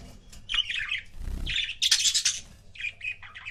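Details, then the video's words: Pet budgerigar couple gives squeaky chirps and a burst of harsh buzzy chatter, with a low thump of handling noise partway through. "CUTE BUDGIE COUPLES"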